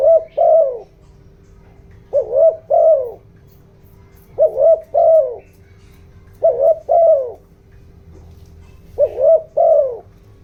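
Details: Decoy spotted dove calling in the 'giọng đồng' style to stir wild doves and decoys. Five deep, gentle phrases, a double-humped note and then a drawn-out falling coo, recur about every two seconds over a constant faint hum.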